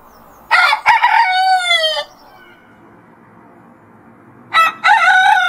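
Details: Domestic rooster crowing in the morning, anticipating sunrise: a full harmonic cock-a-doodle-doo about one and a half seconds long with a falling, drawn-out final note, then a second crow beginning after a quiet gap.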